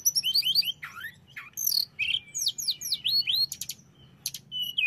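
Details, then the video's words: Hill blue flycatcher singing to provoke aggression in other birds, a dense, lively stream of high twittering notes, sweeping whistles, one long steady whistle and short rattling trills, almost without pause. "setelah dengar ini tledekan jenis apapun akan cepat esmosi"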